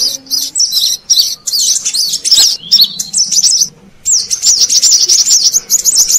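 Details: Brown-throated sunbird sound used to lure wild birds: fast, sharp, high-pitched twitters in tumbling phrases, broken by a short quiet gap before a fresh run of zigzagging notes.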